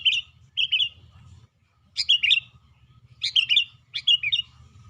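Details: Actively singing caged sooty-headed bulbul: five lively, slurred whistled phrases that rise then drop, delivered in pairs and singly with short gaps, over a low steady hum.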